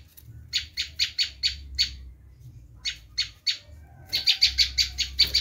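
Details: Screaming call of a bar-winged prinia, a sound used to attract wild prinias: rapid trains of rasping high notes, a run of six, three spaced notes, then a faster burst. Quiet background hum.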